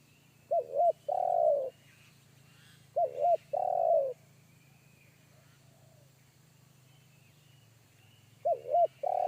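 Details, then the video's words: Forest spotted dove calling in a deep bass one-kuk style. Its phrase of two short coos and a long rolling note repeats three times, spaced about two to five seconds apart, over a low background hum. "PIKAT AJARAN T4KUT MENDENGAR SUARA TEKUKUR INI‼️SUARA BESAR NGEBASS"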